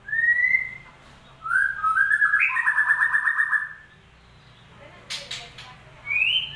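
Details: White-rumped shama singing as a lure for a bird that has gone quiet: a rising whistle, then a rapid buzzy trill of repeated notes, a harsh click burst, and a final upward whistle.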